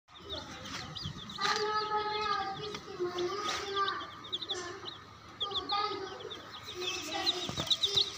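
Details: Chicks peeping in rapid, high, thin chirps, often in quick runs, over lower clucking tones and some background voices.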